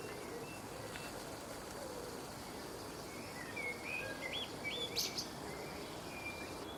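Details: A common blackbird sings from a tree branch in England, a short run of mellow, fluted notes that ends in a high, squeaky twitter, over a steady hiss of wind or rain.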